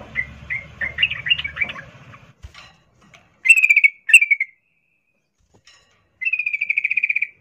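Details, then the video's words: Female sooty-headed bulbul in breeding condition calling a male, in continuous 'ngerol' chatter style: scratchy chattering notes at first, then two short harsh bursts and a steady rattling trill of rapid repeated notes lasting about a second. "Trucuk Betina memanggil jantan Suara NgeroL birahi"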